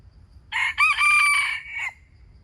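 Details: Wild chicken calling: a single hoarse crow about one and a half seconds long, broken into a short opening note and a longer sustained strained phrase fading at the end, over low background hum.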